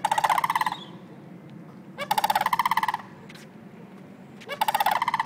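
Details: Wild sandhill cranes in Longleaf, Trinity, Florida, early September, give three harsh, pulsed, trumpeting rattles, each under a second long and spaced about two seconds apart, against a constant low rumble.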